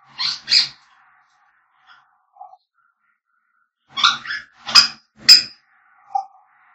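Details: African grey parrots singing and whistling: two short squawks, a long pause with faint chirps, then a burst of sharp rising whistles and squawks, ending on a soft low note.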